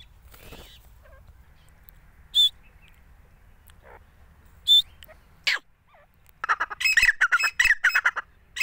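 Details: Mostly quiet with a few faint chirps and clicks from a hand-held fighter grey francolin, then a loud run of harsh, rasping notes breaks out, repeated rapidly for about two seconds.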